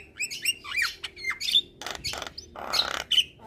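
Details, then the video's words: Javan myna singing as a tutor recording for other mynas: chattering mix of short whistled slurs, clicks and bursts of raspy noise, with brief pauses between phrases. "Jalak Kebo Malas Bunyi Dan Jenis Burung Jalak Lainnya Cocok Di Kasi Masteran jalak Kebo Ini"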